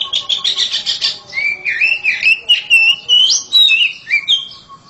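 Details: Home-kept oriental magpie-robin in loud song: a fast buzzy chatter opens, then a flowing string of sweet, swooping whistled phrases rising and falling without pause.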